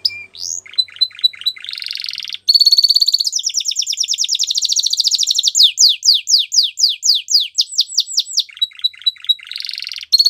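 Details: Song of a Belgian canary, offered for young canaries to learn from: a few spaced notes open into a long, very fast high trill, followed by rhythmic downward-swept syllables and a final rolling phrase.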